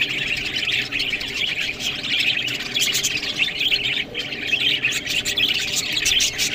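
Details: Budgerigars eating greens keep up a steady, shrill twittering chorus of overlapping chirps and warbles, briefly thinning around the middle before resuming just as busy.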